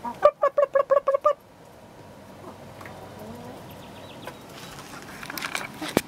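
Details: Chickens recorded 07-06-2016: a quick run of seven evenly spaced, short clucks over about one second, followed by a quiet stretch of low background noise and a few soft knocks.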